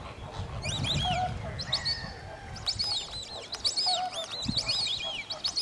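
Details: White-faced whistling ducks at WWT Slimbridge whistle in high, arched notes, grouped in short runs, over a low rumble and occasional lower calls of other birds.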